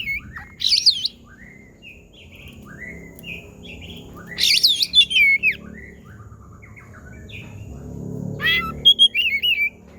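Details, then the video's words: Oriental magpie-robin mimicking a cat's sounds, with bursts of looping, mew-like whistled phrases and scattered short chirps separated by pauses, over low rumbling background noise. "KACER BUNYI SUARA KUCING"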